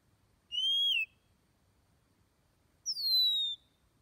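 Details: Oriental magpie-robin with two pure whistled notes a little over two seconds apart. The first is level and then falls briefly; the second starts higher and glides gradually downward. No other sounds are heard over a quiet background.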